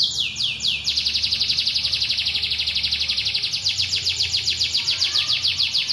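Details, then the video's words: A white canary in full, vigorous song: a few long falling whistles, then a steady rapid trill of high chirped notes repeated several times per second, sustained without pause. "si putih yang gacor (kenari)"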